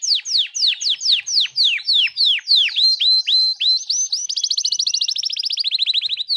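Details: Songbird on a master track for teaching contest birds fill-in sounds: a series of about fifteen sharp, downslurred whistled notes, then a rapid, high, chattering trill.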